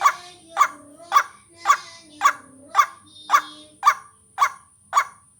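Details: White-breasted waterhen lure calling, ten loud clipped rasping notes evenly spaced about half a second apart, with a faint wavering low tone and a thin constant whine.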